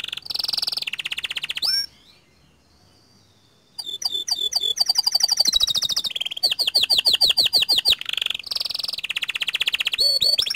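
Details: Panda canary singing steadily in a long rolling style: fast buzzy trills and rapid repeated whistled notes, a nearly two-second pause, then dense rising and falling slurred notes in quick series.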